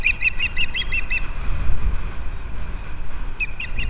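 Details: Osprey at a Captiva nest camera, February 11, 2023, as the male delivers fish to the female. A quick burst of piercing, high whistled chirps opens, then a pause with wind roar, then the chirping resumes.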